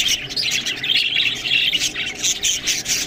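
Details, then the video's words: Budgerigars feeding on green food, chattering constantly: a thick mix of rapid high chirps, warbles and short squawks from several birds together, with no pauses. "Budgies Food Beautiful Best Green Food Eating"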